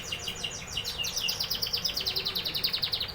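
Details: Canary delivering a rapid rolling trill of high, closely spaced notes, pulsing steadily several times a second throughout, over a faint low hum.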